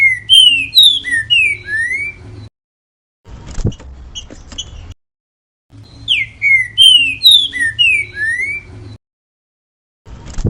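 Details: Green-winged saltator singing the song style called grego mole boi, used to teach young birds and moulting birds: clear descending whistled phrases of about eight slurred notes, repeated twice with gaps, over a low hum and some clattering noise.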